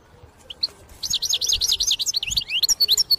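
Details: Song of a European goldfinch, used to lure birds for trapping: a quick string of bright, bouncy twittered notes repeated several times a second, with a few clear whistled notes at the start and finish.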